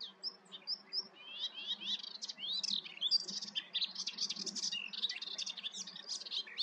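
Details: Melodious warbler singing, filmed near home in the Eifel, Germany: a fast, continuous babble of chattering, twittering and scratchy notes, high-pitched and varied, with short whistled phrases, running for nearly seven seconds with a faint low hum beneath.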